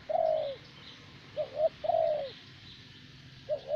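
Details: Vietnamese decoy spotted dove of the preferred steady-calling type. A long falling croon, then a quick double coo and another drawn-out descending note, with soft high bird twitters in the background.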